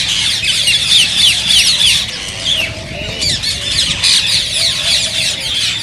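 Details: Green rose-ringed parakeets making sounds meant to stimulate mating: loud, busy chattering of many birds, with sharp descending screeches early on and a dip in volume near the middle.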